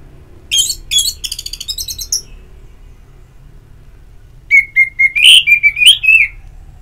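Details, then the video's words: Ngeplong therapy song of an orange-headed thrush: a fast stuttering run of high chirps, a silent gap, then a sweet whistled phrase of repeated slurred notes that rise and fall. "Pagi Siang Sore Terapi Ngeplong Untuk ANIS MERAH Malam ya Tidur Merangsang untuk Bunyi"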